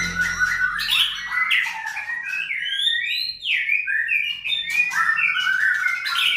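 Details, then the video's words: Caged white-rumped shama at a contest-bird farm in Sragen, Indonesia, singing fluid whistled phrases with high sweeping notes and smooth downslurs, continuous and melodious throughout. "peternakan Murai Batu Kontes AK 45 Sragen"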